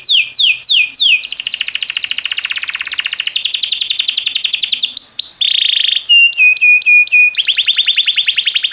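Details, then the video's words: A canary sings fast, high rolling trills and buzzy tours, broken by quick downslurred whistles and repeated rising notes, in a recording meant for training canaries to sing. "Cantar canário faz seu canário cantar - o melhor treinador"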